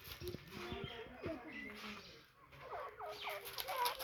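Grey francolin calling in harsh, ringing notes, first a jumbled burst, then a quick run of rising, repeated phrases, with faint background chatter.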